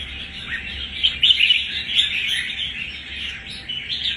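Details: Newly caught wild red-whiskered bulbul, one month since capture, displaying toughness; rapid, jumbled chirping warble, louder bright whistled bursts around the middle, then softer continuous chatter, with a low steady hum beneath.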